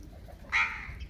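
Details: Indian ringneck parakeet letting out one brief, sharp, rasping squawk that fades quickly, with low background rumble.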